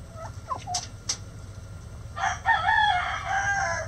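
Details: Chicken making a few faint scattered sounds, then a rough, wavering crow rising in strength and lasting over a second, with mild background noise.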